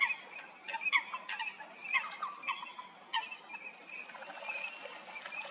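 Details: Fighting Eurasian coots at Stodmarsh in Kent, UK, give clipped nasal notes in quick bursts during the first half, then fainter scattered calls with a soft hiss behind.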